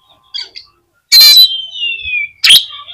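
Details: Oriental magpie-robin song meant to provoke other magpie-robins, with a harsh burst followed by a long descending whistle and a sharp chirp at the end.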